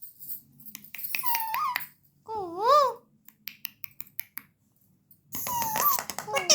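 A ringneck parakeet chatters in mimicked human speech: short bursts of high, nasal, wavering syllables with brief clicking pauses between phrases.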